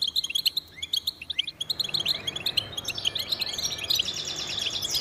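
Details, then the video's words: Goldfinch song, which males give to defend territory and attract mates: sharp separate chirps at first, then thickening into a rich buzzy trill and dense high twittering. "Goldfinch Songs"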